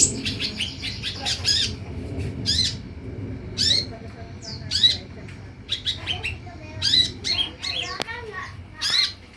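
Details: Lure sound meant to make olive-backed sunbirds reply and sing, with rasping high notes given in irregular bursts, some quick doubled, interspersed with thin twittering and a click, over low background noise.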